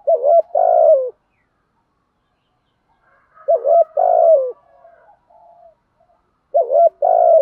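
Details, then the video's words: Male and female spotted doves calling to stimulate kept birds: three low, hollow cooing phrases, each a short double coo followed by a longer rolling coo, repeated about every three seconds, with faint softer notes between phrases. "tiếng chim cu gáy kích bổi nhanh nổi/ thúc gù , gáy gọi đủ bài"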